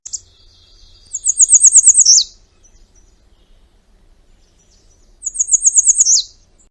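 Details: American redstart sings twice, about four seconds apart: a rushed run of high, thin, rapid notes ending in a squeezed, down-slurred flourish; nothing else is heard.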